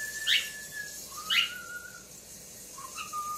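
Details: Pet male talking cockatiel indoors, phone-recorded in low light while watching himself on a screen for the first time; clear whistled notes, a sharp chirp followed by a level whistle, repeated about a second apart, then a softer rising whistle.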